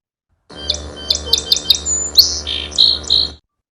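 A Song Sparrow sings a quick run of evenly repeated bright notes, then buzzy, trilled phrases, about three seconds long over a faint low room hum.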